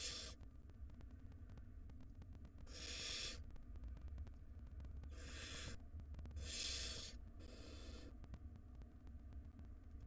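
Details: Barn owl chicks in a wild nest box begging as the mother brings prey; several grating hisses of about half a second, spaced irregularly, the middle ones loudest, over a steady low hum.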